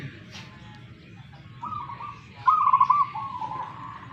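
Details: Local zebra dove from Tuban, East Java: a soft drawn-out coo, then a louder rapid stutter of pulsed notes trailing into a level tone, with steady low hum behind.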